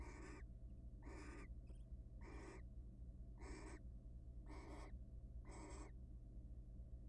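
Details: Wild barn owls at a monitored nest box, mating often before egg laying; six drawn-out, hissing screechy bursts, each under half a second, spaced about one second apart, quiet over a steady low hum.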